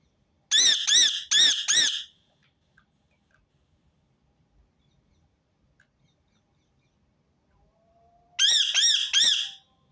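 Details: Rose-ringed parakeet calls in two bursts of four shrill, grating screeches each, separated by about six seconds of near silence.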